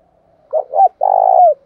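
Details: A Spotted dove gives one 'thổ pha' style phrase, meant to spur a caged bird into cooing. Two quick hoarse notes lead into a long, even, buzzy coo that bends downward at its close.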